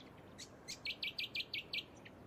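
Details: A Rainbow Bee-eater (Merops ornatus) on the Sunshine Coast, Queensland, in August 2024 gives a quick series of six rolling, buzzy trilled notes, high-pitched and evenly paced, with a few faint thin chips before them.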